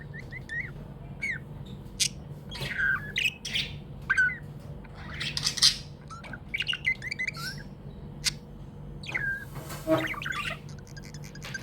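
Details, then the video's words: Happy budgies chirping: a long stream of varied chirps, squawks and scratchy chatter, with sharp clicks and a noisy rustle near the end, over a steady low hum. "Happy budgie chirping sounds"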